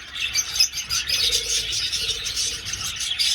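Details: Flock of budgerigars flying in an old aviary: continuous busy chattering of high, scratchy chirps and warbles, with bursts of louder squeaks throughout.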